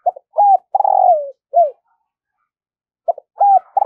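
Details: Decoy spotted dove cooing at dawn to attract wild birds: clipped notes, a clear coo, a long throaty falling roll and a short slurred note, with the phrase beginning again after about a second's silence.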